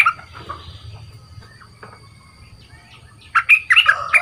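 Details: A caged bulbul, two months in the cage and being trained as a decoy bird with a big voice, gives soft scattered notes. It ends in a loud burst of quick, bright, chirpy whistles over a faint low hum.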